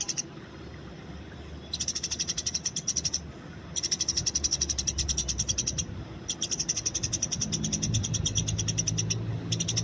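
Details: Wild Eurasian tree sparrow giving fighting calls, long runs of rapid, high chirps at about four per second in several bursts over a soft low hum.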